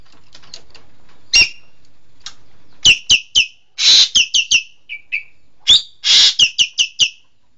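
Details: Green magpie, known locally as engkek keling, giving a series of sharp, clipped high calls with several harsh, noisy bursts and a couple of short whistled notes, delivered in quick clusters over a quiet background.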